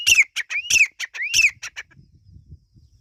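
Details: Three quick harsh phrases from Irani teetar partridge chicks, each a rising whistled slur breaking into scratchy clipped notes. After these comes a soft low rustling background.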